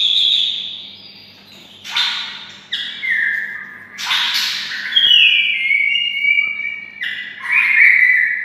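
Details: White-rumped shama, kept near red-whiskered bulbuls, sings in a bulbul-like voice: clear, drawn-out whistled notes sliding downward, separated by loud harsh bursts, with a faint steady hum underneath.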